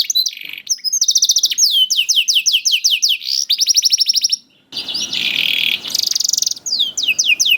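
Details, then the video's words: A young canary's song meant to lure hesitant canaries into singing: high swept notes repeated rapidly in trains, a short pause, then a harsh buzzy roll and more quick descending notes. "PANCINGAN KENARI PAUD TERBUKTI AMPUH MEMANCING KENARI SUSAH BUNYI IKUT GACOR"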